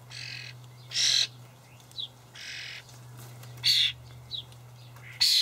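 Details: Young common starlings begging as parents feed them dried buffalo worms in a Hamburg allotment garden on 28 May; harsh broadband rasping bursts of about half a second, spaced irregularly, with a steady low hum underneath.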